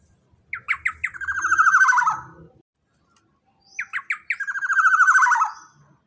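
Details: Black-naped oriole, a large-bodied bird with a loud voice, gives two phrases about three seconds apart. Each opens with three short, sharp rising notes, then runs into a rapid, rolling, buzzy trill that slides slightly downward.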